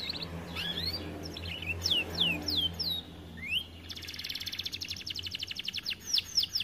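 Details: Canary in an aviary, described as reluctant to sing from being too fat, giving descending whistled slurs then a long rapid rattling trill, over a low steady hum.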